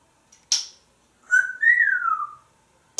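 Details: A male African grey parrot, hatched 15 June 1997 and kept in a Texas home, gives one clear, slurred whistle rising then falling over about a second while in the shower, between two short bursts of splashing.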